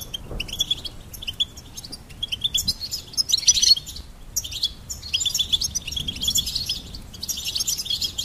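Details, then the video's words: Goldfinch chattering with bright, high tinkling notes and rapid chirps, in several bursts with brief quiet gaps, over faint background hiss. "Goldfinch Peep"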